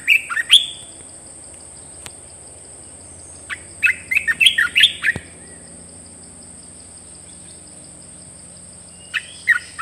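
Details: Caged red-whiskered bulbul singing newly added song phrases: a quick burst of clear warbled notes, then a longer run of bright, rapid chirped notes after a pause, with a faint final phrase; a steady high tone hums underneath.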